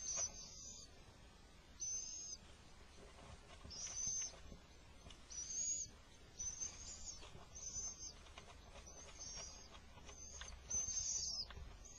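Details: Little owl at a nest where the male manages to bring food during an attack; harsh, hissing, high screeches of about half a second, repeated roughly every one to two seconds in eight bursts, over faint background rustle.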